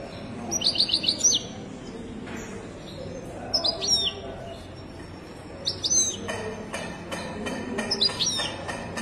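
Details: European goldfinch from Morocco, widani-style song. A rapid run of five repeated high chirps opens the passage. Bright twittering phrases with downward-sliding notes return every couple of seconds, set against a low rumble and faint knocks.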